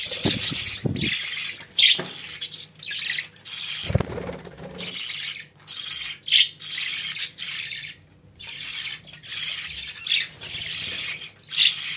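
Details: Caged pet budgerigars chattering in short, buzzy, scratchy bursts with occasional sharp chirps, broken by brief pauses, alongside low rattling and rubbing knocks early on and a constant faint hum.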